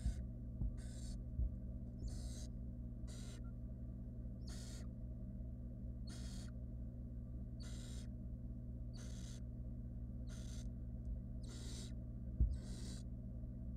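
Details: Young wild barn owls in a monitored nest box beg as their mother brings a rodent, uttering around thirteen short, harsh hissing screeches roughly every second, over a low continuous hum.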